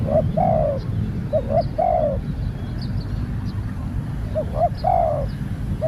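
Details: Spotted dove in training, a new bird, repeating its coo phrase about every two seconds: quick double note followed by a longer descending purr-like coo, over constant low background noise with soft distant bird chirps.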